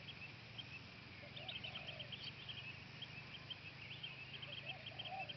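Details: Chestnut-headed bee-eater in Khao Yai National Park, Thailand, February 2011, giving quick, high, chirpy rolling notes in loose bursts over a steady low hum, with a few fainter lower notes.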